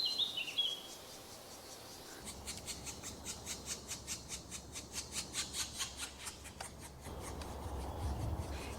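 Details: Black woodpecker (Dryocopus martius), one of a pair tending nestlings not yet strong enough to leave, in a Trentino forest in late spring 2018: a brief high whistled note, then steady harsh, raspy calls about twice a second over a low hum.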